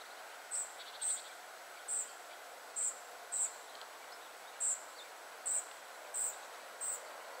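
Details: A family of spotted flycatchers at 51.943564, 20.122272 gives a run of high, thin, clipped call notes, about ten in under eight seconds, with a brief lower ticking series early on and a constant hiss behind.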